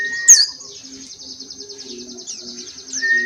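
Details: Oriental white-eye, Dakbal, Pacitan or Muria variety, in open-beak song: a thin, high, continuous buzzy trill after one sharp chirp, with soft low hooting tones pulsing beneath.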